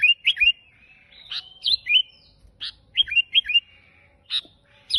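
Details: Sooty-headed bulbul singing steadily in an unusual style. It gives a lively run of short, liquid whistled notes, each slurring upward then dipping. The notes come in quick clusters of two or three, with a few sharper chips between.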